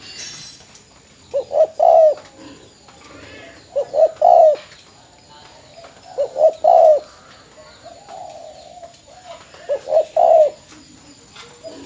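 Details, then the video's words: Spotted dove kept as a decoy bird in Bến Tre, Vietnam, recorded before leaving its owner after sale, delivers four separate soft coo phrases, each a short double note then a longer one, spaced about two and a half seconds apart. "Cu gáy bến tre"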